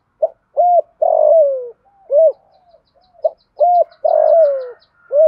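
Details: Spotted dove cooing to excite decoy birds, two full phrases of clipped note, hollow coo, drawn-out burry descending coo and closing coo, with faint high ticking chirps in between.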